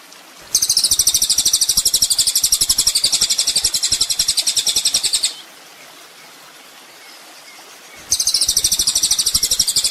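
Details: Kolibri ninja (olive-backed sunbird) song for tutoring songbirds: a sustained needle-thin trill of quick pulses for almost five seconds, nearly three seconds of quiet, then the same high trill resumes.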